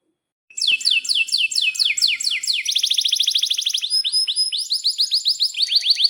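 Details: Atlantic canary with long rolling song, meant to tutor young canaries and stimulate silent ones. After a brief silence, falling sweeps repeat quickly, merge into a fast trill, then into bright up-slurred notes.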